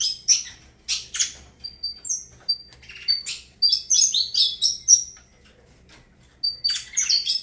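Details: Saffron finch, Avalanche song, with scattered high chirps building into a rapid tumbling phrase, a pause, then renewed twittering.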